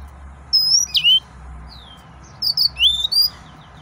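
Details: An excited male yellow-fronted canary gives two short phrases of clear, high whistles, some sliding downward, others rising, separated by about a second of near silence over faint low hum.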